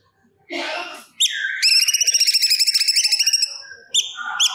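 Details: Energetic cucak cungkok song from its stored repertoire: a rough, harsh note, a sharp chirp, then a long rapid buzzy trill, followed by clear short whistled notes.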